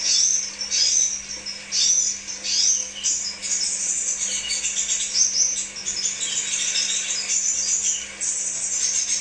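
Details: Crimson sunbird chattering in rapid, high-pitched twitters, with early separate chirpy bursts merging into an unbroken sibilant warble. Faint electrical hum is audible, and the recording is used to lure kept birds.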